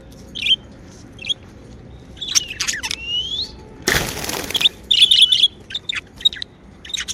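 Budgerigar chirping in quick bursts of high, scratchy chatter and short rising whistles, with a loud flutter of wings midway.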